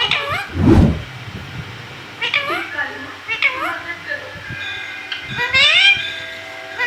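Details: Talking pet parrot in a room, copying mummy: short curving harmonic syllables spread across the clip, one low thump early on, and a longer rising phrase toward the end.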